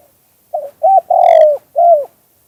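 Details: Single phrase of spotted dove song in the two-kuk-hoi style. A brief soft note and a clipped coo come first, then a long, strong falling coo, then a rounded closing coo, with quiet background.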